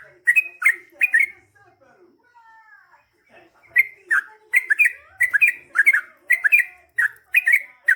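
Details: Yellow-vented bulbul song in the long rapid 'ropel' style meant to spark answers: three bubbly phrases, a quieter stretch with faint sliding tones, then a fast run of repeated liquid two-note bursts.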